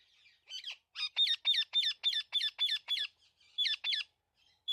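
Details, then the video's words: A talking parrot chirping naturally: a quick run of harsh, high, clipped, slightly squawky chirps, about ten in under five seconds, with short pauses between bursts. "Talking Parrot Natural Chirping Sounds"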